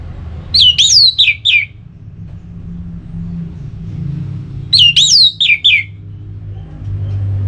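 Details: Orange-headed thrush in ngeplong style, sung to spur another bird to sing: two brief matching phrases of three or four looping whistled notes, roughly four seconds apart, over low rumbling background noise.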